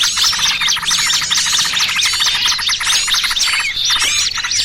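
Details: Trapping lure of mixed small-bird calls with noisy trucukan: many birds chattering at once, rapid high squeaky notes and quick down-slurred whistles layered densely, easing slightly near the end.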